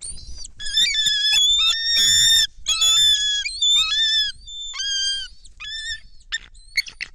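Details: Bald eagle calls recorded by a nest cam in Kistachie National Forest on 10.12.2023 as an unfamiliar female lands with a fish, another eagle airborne; dense, overlapping shrill whistles and squeals tumbling together, then shorter scattered piping notes.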